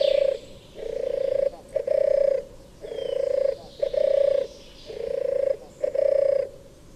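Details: European turtle dove (Streptopelia turtur) purring call: soft, low, rolling purrs, each about half a second long, delivered in pairs with short pauses between groups.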